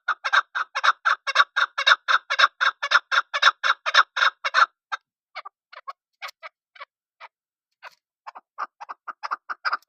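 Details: Chukar partridge calling: a vigorous, evenly paced run of raspy chuk notes breaks off into scattered single clucks. A livelier series then resumes.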